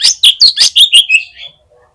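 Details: Fighter Oriental magpie-robin at a songbird contest, its song said to quickly rouse other magpie-robins: six loud, scratchy, chattering notes in quick succession, fading into a soft trailing phrase.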